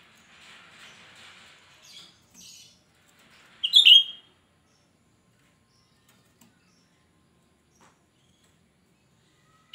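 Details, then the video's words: Cucak rante, an untrained bird used as a lure: soft buzzy chatter, then a single loud shrill phrase, followed by silence. "Cucak Rante gacor ‼️Suara melengking Cocok untuk Pancingan cucak Rante bahan"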